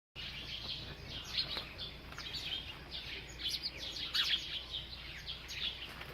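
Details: A bird chirping while it eats: quiet, short high chirps and twitters, scattered irregularly through the clip over a steady low background hum.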